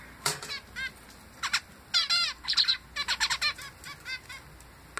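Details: A male zebra finch fledgling sings a rapid series of nasal, buzzy notes with brief gaps between them.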